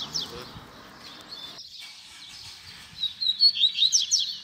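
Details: Baderna song of a double-collared seedeater used to train young birds. Quiet at first, then a loud second-long burst of rapid high chirps and slurred notes near the end.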